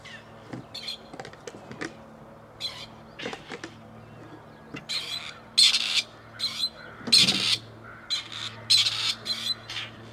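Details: Around Tullow, two previously released wild male grey partridges call for females. Short rasping notes come faster and more often toward the end, a steady low hum beneath.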